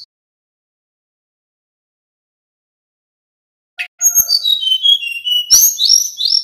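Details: A male little pied flycatcher sings in the nyeklek style, meant to draw responses from other birds: after a long silence, a rapid stream of high, sweet whistles and twittering slurs, with a couple of sharp clicks.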